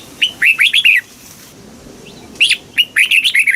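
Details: Red-whiskered bulbul kept caged in Thailand, singing the southern master style used to rouse caged birds and teach young ones: two cheerful runs of looping, slurred whistles, divided by a short quiet spell.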